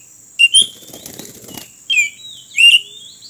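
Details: A wild Oriental magpie-robin being lured for capture beside a road gives three brief, high whistled phrases with quick rising slurs, the first followed by a dry rustling flutter, and a thin steady whine runs throughout.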